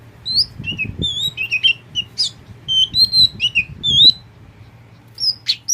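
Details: Tame pet oriental magpie-robin of the kacer poci type singing clear, high whistled phrases and short slurred notes in quick succession, then a pause and a final few notes; steady low hum and light handling noise beneath.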